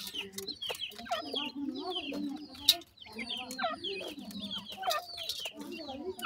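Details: A brood of wild francolin chicks at feeding time peeps nonstop. The thin descending chirps overlap in a busy chorus, a lower wavering tone runs beneath, and a sharp click comes midway.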